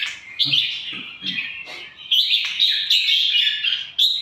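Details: Caged red-whiskered bulbul, Indonesian line, delivering a continuous run of clear warbled whistles, quick slurred notes running together, with a few soft low knocks near the start.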